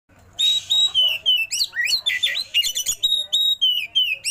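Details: Oriental magpie-robin singing a rich fill-in song with rolling passages. Clear, high, slightly falling whistles repeat about three per second, mixed with sharp upswept chips and quick buzzy notes.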